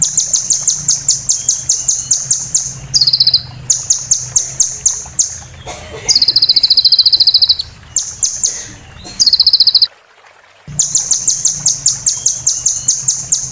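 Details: Olive-backed sunbird (konin) full-fill 'roll tembak' training song for moult: long runs of rapid high ticking trills broken by buzzy rattling bursts, with a low hum underneath and a brief gap.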